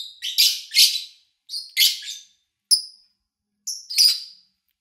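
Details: Lovebird chirps recorded at the beginning of August 2019 with little background noise: grating, buzzy high calls in paired bursts, then a thin clear whistled note and a final harsh chirp.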